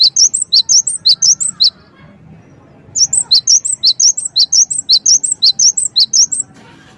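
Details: Cinereous tit (gelatik wingko) song played to lure birds into replying: short burst of high, crisp repeated notes, a quiet pause, then a longer steady run of the same ringing phrase.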